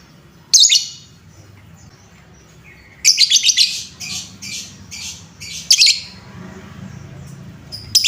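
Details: Lovebird chatter meant to rouse other lovebirds: one sharp shrill chirp, then a quick cluster of scratchy high chirps and another loud squeak, over a faint low hum.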